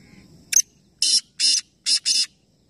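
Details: A sharp double click is followed by four coarse, rasping notes, the last two run close together, from black francolins calling in competition, three birds at once, Nawabshah, Pakistan.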